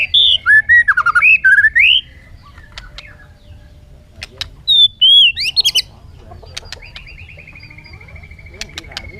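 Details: A bird whistles looping, warbling phrases, pauses, adds a brief high flourish, then closes with a steady buzzy trill held for about two seconds.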